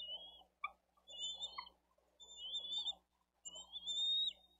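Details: Young bald eagle chick calling for food on a Dade County nest, 13 April 2023, during a feeding after an adult delivers fish; repeated high, thin, slurred whistles in uneven bursts over a low background rumble.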